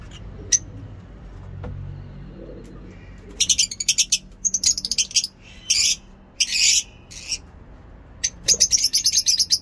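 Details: Morning lovebird song in a mini zoo, ngekek style: quiet at first with a few isolated high ticks, then dense shrill buzzy chirp bursts from about the middle onward, broken by short pauses.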